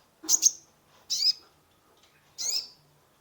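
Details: Three separate high, sharp chirping notes from a sunbird (konin) in full song, played to coax a stressed caged bird into singing; each note is short and slightly buzzy, about a second apart.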